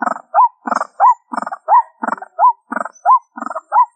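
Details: White-breasted waterhen lure sound, the call known locally as ruak ruak: a harsh, raspy burst followed by a rising, looping whistled note, this pair repeated steadily about every seven-tenths of a second in a clean recording.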